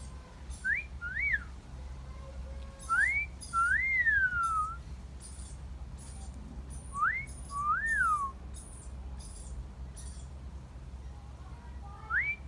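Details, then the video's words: Parrot outdoors in a garden repeating its two-note wolf whistle three times, a quick upward whistle then a drawn-out rising and falling glide, ending on a rising note, with faint high ticking in the background. "Parrot Wolf Whistling"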